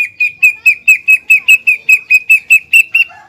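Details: Greater green leafbird, kept to provoke rival birds: a fast, even chattering series of about fifteen short whistled notes at one pitch, roughly four per second.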